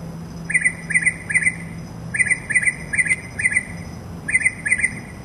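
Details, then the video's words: A mockingbird sings outside a window in an unedited recording: bright, chirpy notes in quick triplets, each phrase repeated several times in rapid bursts, over a low steady background hum. "Mockingbird Song"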